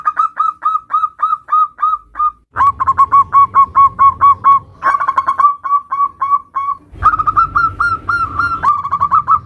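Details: Local zebra dove singing in the nutut style, meant as a lure to prompt other zebra doves: rapid runs of short cooing notes, several variations spliced together with abrupt cuts and a low rumbling hum behind some sections.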